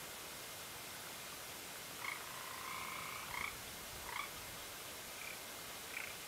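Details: Bald eagle at the nest at Fraser Point, recorded 16 February 2019 around 01:31: faint, thin whistled notes with a higher overtone, one drawn-out note followed by short chirps about a second apart, over steady hiss.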